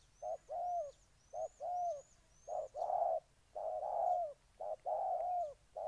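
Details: Spotted dove, Ninh Thuận province, Vietnam, cooing in soft hoarse phrases, with short notes leading into longer drawn notes. Five faint high whistled notes sound over the first half.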